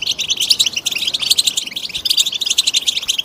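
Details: European goldfinch song used for stimulating birds: continuous rapid twittering with tinkling chirps and buzzy trills packed closely together, high-pitched and unbroken, over faint background hiss.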